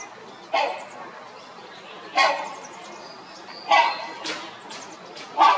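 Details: Rhinoceros hornbill at the Los Angeles Zoo, recorded 6 March 2021, giving loud, harsh, honking squawks, five in under six seconds at uneven intervals, over a faint background murmur.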